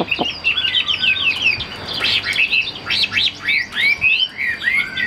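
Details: Chinese hwamei kept in a cage for sale, delivering quick rising and falling whistled notes in short bursts, with brief dips between phrases and a thin steady tone behind.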